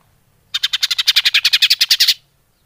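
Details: Greater green leafbird (cucak hijau) lure call, used to attract birds: a rapid run of about sixteen harsh, buzzy chattering notes lasting under two seconds, then silence.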